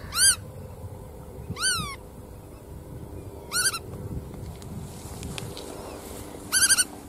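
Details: Black-tailed godwit giving sharp, nasal rising-falling calls, several single or paired notes spread across several seconds, with low rumbling background noise throughout.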